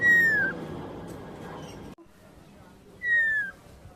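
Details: Talking common myna, said to call out "choto", gives two clear whistled notes that slide gently downward, about three seconds apart, with a person's voice and low room noise in between.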